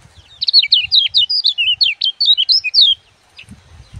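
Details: Sunbird known as kecial kuning, gebokan-style song meant for training birds to sing. A loud, quick series of sharp, high twittering and zigzag notes lasting about two and a half seconds, followed by low taps.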